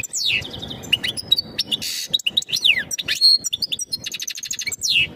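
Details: Mating call of a European goldfinch, aimed at preparing the female to breed: varied twittering with downslurred whistles, a brief harsh buzz, and a rapid rattling trill before a final falling note.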